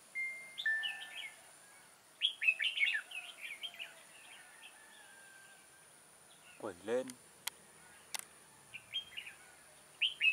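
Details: Red-whiskered bulbul used as a decoy bird for trapping, dated 6 October 2018: short bursts of bright, slurred warbled notes in clusters, with gaps between phrases, a loud sweeping sound near the middle and sharp clicks.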